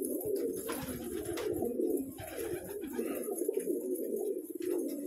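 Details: Pigeons kept in a small room give continuous low, rolling coos that overlap into a steady murmur, with light rustling and noise in the background.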